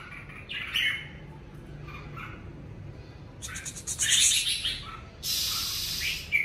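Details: Red-whiskered bulbul in song during the covid season: short warbled phrases at intervals, then a loud burst of bright chirps mixed with broadband rustling noise, another noisy burst near the end.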